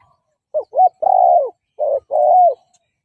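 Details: Spotted dove used as a decoy, giving a fighting coo to lure and provoke wild males. Two short clipped notes lead into a long, level, mellow coo, then a brief note and another drawn-out coo that falls at its end.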